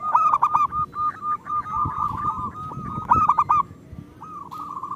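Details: Local zebra dove singing eagerly, meant to prompt idle doves to sing: two loud trilled bursts framing a run of rolling coos, with faint background rumble.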